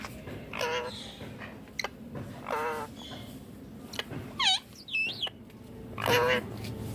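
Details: Indian ringneck parakeet, green, mixing harsh rasping squawks with a couple of brighter rising whistled notes and scattered clicks, calls irregularly spaced over a low background hum.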